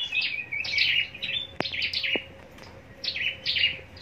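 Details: Contest-singing scarlet-backed flowerpecker in a cage, Long Thành, southern Vietnam: rapid bursts of high, sharp, descending chips with a short pause midway and a couple of knocking clicks.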